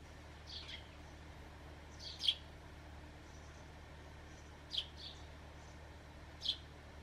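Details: Pet sparrow calling back to its owner's whistle with sharp, high single chirps spaced irregularly a couple of seconds apart, with softer chirps in between and a low hum underneath.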